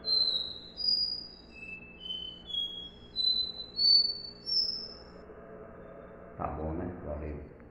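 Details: Copper seedeater performing its "dó ré mi" song: a run of clear whistled notes rising stepwise in pitch for about five seconds, then the bird falls silent and a human voice speaks briefly.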